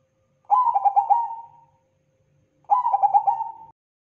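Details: Perkutut Bangkok zebra dove, a crossing bird singing actively in a long-duration training recording; two mellow cooing phrases about two seconds apart, each a rolling series of stuttered, slightly falling notes trailing into a held coo, in a quiet background.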